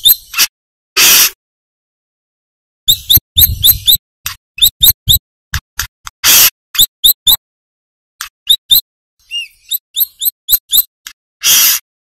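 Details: Brown-throated sunbird, local name kolibri kelapa manggar, singing actively for a training recording. Fast strings of thin high chirps and short swept notes are mixed with several loud, harsh, rasping bursts.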